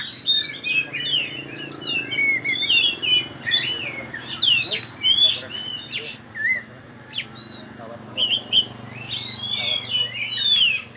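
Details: Champion oriental magpie-robin at a bird-singing competition in Tebas, delivering continuous bright whistled phrases with rising and falling slurs and quick trills. A steady crowd hum runs beneath the song.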